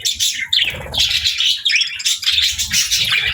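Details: Budgerigars kept with lovebirds, playing and eating; bright whistled chirps, some sliding down then up, mixed with rapid twitters in short bursts, plus soft low knocking sounds.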